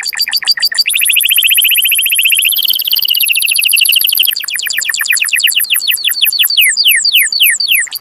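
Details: Canary singing to stimulate males and excite females to breed: separate rising notes, then a fast rolling trill, followed by slower downsweeping notes repeated steadily.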